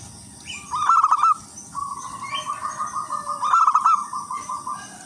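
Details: Local wild-type zebra dove singing as a lure for other zebra doves: a bubbling trilled coo, then a long soft purring run, then another bright flourish, with a constant high hiss behind.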